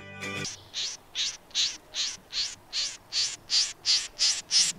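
Pin-tailed Snipe giving a steady run of harsh, high, rasping notes, about three per second, after a brief musical chord at the start.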